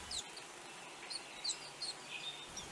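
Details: Reunion grey white-eye (Zosterops borbonicus), an endemic of Réunion that forages in small flocks, gives thin, high chips and short squeaky notes scattered over a steady hiss.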